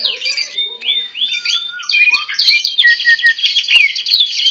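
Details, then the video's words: Greater green leafbird singing tamely in someone's hand: drawn-out whistled glides, then a dense stretch of buzzy mimicking phrases and repeated sharp notes. "Burung Cucak Ijo Jinak Gacor Meskipun Di Pegang Tangan"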